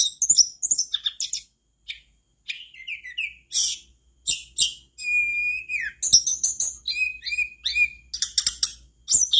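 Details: A mangrove blue flycatcher, used to prompt other birds to join in, sings lively, high-pitched phrases of clear whistles and rapid twittering trills in one- to two-second bursts separated by brief pauses.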